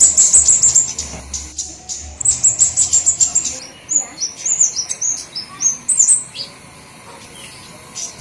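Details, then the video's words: Flowerpecker lure call meant to attract all flowerpecker species: high, thin, rapid chip series, then jumpy piercing notes stepping up and down, with a low hum early on. "Suara Pikat Semua Jenis Burung Kemadean atau Cabe Cabean"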